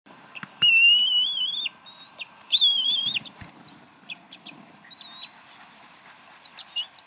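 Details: Bald eagles at the Decorah nest, mother feeding three eaglets at dinner time, 7:50 pm CDT, April 26, 2012; high whistled, slightly wavering piping notes in drawn-out phrases with short chips between, over faint low rustling.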